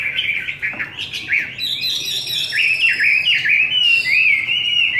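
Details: Forest-voice Chinese hwamei on homemade feed delivering choppy, repeated up-and-down whistled notes, several per second, ending in a clear warbled glide; steady loud song throughout.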